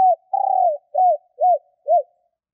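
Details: One phrase from a female spotted dove luring wild males: a short opening coo, a long rough trilled note, then three evenly spaced, arched, falling coos, low-pitched and clean.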